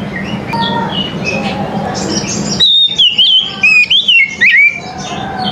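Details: Oriental magpie-robin morning song. Busy distant chirping and hum give way to a burst of sharp, slurred whistles, six or seven quick phrases dipping and rising, before the background chatter returns.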